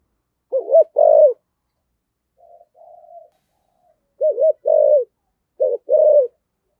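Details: Spotted dove, rare Vietnamese 'thổ sấm thúc' voice: three clear phrases of a dipping double coo followed by a sustained coo, with a soft distant coo in the gap.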